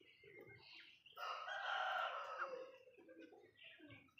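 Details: Golden pheasant uttering one loud, hoarse, grating call of about a second and a half, with softer clucking and chirping from other birds before and after.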